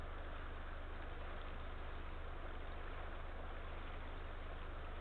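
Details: A vehicle engine idles with a constant low drone and hiss, and no animal is heard.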